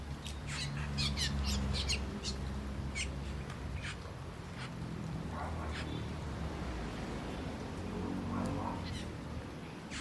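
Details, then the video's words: Asian glossy starlings feeding on ripe papaya fruit, several birds giving sharp, high squeaky chirps and squawks irregularly over a steady low background rumble. "Asian Glossy Sterling Birds Making Noises"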